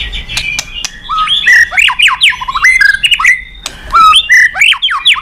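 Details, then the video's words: White-rumped shama song for prompting other birds: dense, loud bursts of squawky sweeps and whistled slurs delivered in quick phrases separated by short gaps, with sharp clicks. "Masteran MURAI BATU super gacor dan istimewa..cocok tuk pancingan burung lain."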